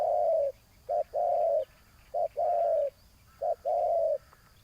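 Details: Spotted dove in a ground decoy setup aimed at a big-voiced rival gives three short-long coo pairs, each a brief note then a drawn-out purring kroo, over a steady hiss.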